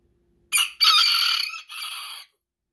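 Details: A bantam rooster, being restrained, gives a single shrill, high-pitched crow in three strained parts over about two seconds, ending with a thinner drawn-out note.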